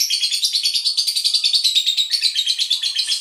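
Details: Lovebird pancingan lure song, used to get other lovebirds singing: continuous shrill, high-pitched chattering warble with fast pulsing rhythm, about six to seven pulses per second, sustained throughout without pause.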